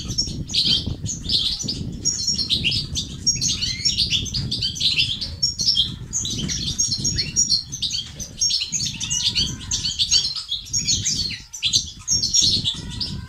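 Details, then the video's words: European goldfinch song of the batbata and sastasat styles, used to stimulate males to sing and become active: fast, dense high twittering with bright chirps and trills running almost continuously, over a steady low rumbling flutter. "بتبتة وستستات للتحفيز الدكور الحسون وتساعده في زيادة النشاط وتحفيزهم على تغريد وعلاج صمت حسون"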